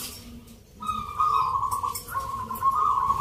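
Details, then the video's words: Local zebra dove in a Jogjakarta singing contest judged on Nglagu Ngepat Mentaraman rhythm, held Sunday 19 November. After a quiet opening, one long vibrating coo holds steady, breaking once, with faint crowd noise behind. "Pertarungan sengit Perkutut lokal irama 😱Suaranya ngerih"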